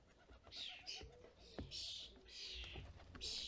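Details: European starlings at a UK feeder in fledgling season give short hissing screeches in quick succession, while a dove-like coo rolls on low and steady beneath them.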